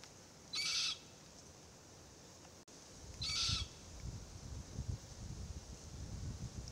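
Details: Forest Red-tailed Black-Cockatoo youngster perched beside its feeding family group, two coarse, wheezy screeches under three seconds apart, followed by low rustling and crunching as the adults eat gumnuts.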